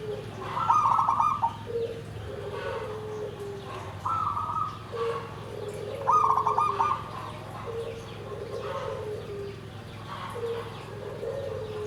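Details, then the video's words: Repeated trilled coo phrases of a zebra dove singing nggandem gedhe garing, deep and dry, every two to three seconds. Softer, lower coos run between them throughout, over a constant low hum. "SUARA PERKUTUT"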